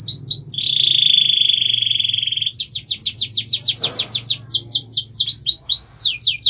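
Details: Canary song used as a training recording for other birds: brief high chirps, a long steady whistled trill held about two seconds, then rapid repeated downward-sweeping notes rolling on, loud and clear.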